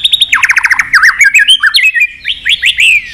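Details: White-rumped shama singing a long song meant to provoke fighting: rapid clear whistled notes, some sliding down and others rising in quick runs, delivered in a continuous stream of varied phrases.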